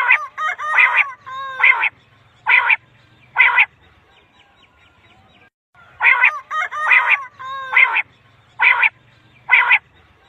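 A quail gives sets of four harsh, buzzy notes about a second apart, the set repeated after a short pause; nothing else is heard.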